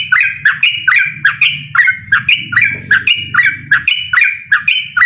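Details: Yellow-vented bulbul in fierce song, inviting a rival to a rapid song battle: evenly spaced bubbly phrases about three a second, with low background rumble in the middle.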